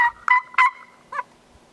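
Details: Gould's wild turkeys on Mt. Lemmon, Arizona, recorded on an annual survey: three or four loud, abrupt yelps with a brief pause before a final rougher note.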